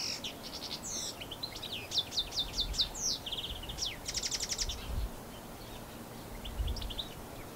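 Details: European goldfinch, New Zealand, recorded with a Canon SX60HS; an elaborate canary-like phrase of rapid high notes, descending slurs and a dry buzzy trill, with some low rumbling in the background.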